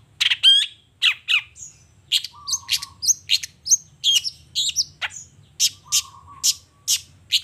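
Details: Long-tailed shrike in full song in the morning, unloading its repertoire of learned material: a fast varied string of sharp chirps, buzzy trills and whistled notes, with two low level whistles, roughly three notes every second.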